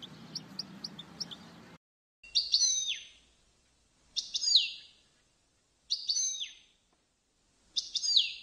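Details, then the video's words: European goldfinch song for training goldfinches: after a brief noisy start with faint chirps, four short bright phrases of sliding, descending twittered notes come roughly every two seconds, separated by silence. "Chant De Chardonneret Goldfinch Song تعليم الحسون"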